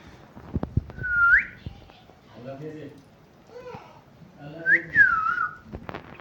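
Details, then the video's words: Talking parrot kept as a pet giving two looping whistled chirps, one rising then dipping, with low murmuring voice-like chatter between them indoors. "Talking parrot chirping sounds"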